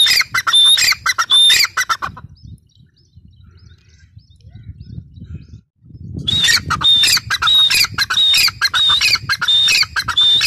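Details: Teetar, the grey francolin, gives a loud series of harsh ringing calls that repeat rapidly. The calls stop for about four seconds of quiet rustling and low background noise, then resume in a steady rhythmic run of whistled, scratchy phrases.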